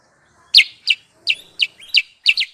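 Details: Trapping lure call of a sooty-headed bulbul: loud, clipped, downward-sweeping chirps spaced about every third of a second, with one doubled note near the end. The background is otherwise silent.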